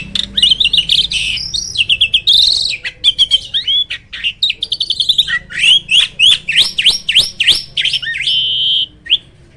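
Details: Black-winged starling, a bird said to be rarely met in the wild, giving a loud, busy run of whistled and slurred notes, many rising sweeps and sharp clicks, one long high note near the end, little background noise.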